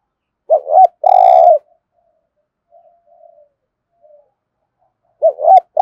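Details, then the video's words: A spotted dove's 'thúc gù' cooing: one clear phrase of a wobbling double note and a long steady coo, faint murmured notes after it, then the next phrase beginning. "cu gáy thúc gù"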